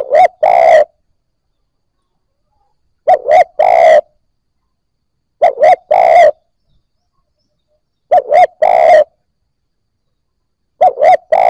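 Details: Cooing of a newly caught Spotted Dove, played to get fresh captives cooing quickly: five low phrases, each two brief coos and a long vibrating croo, repeated about every two and a half seconds.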